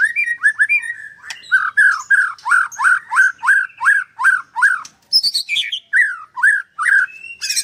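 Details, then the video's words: White-rumped shama at a bird farm in Kendal, Indonesia, 'nembak' singing: a steady run of about a dozen mid-pitched, downslurred notes, slightly hoarse, followed by higher chirps and falling whistles. "Murai batu nembak sebelah mati"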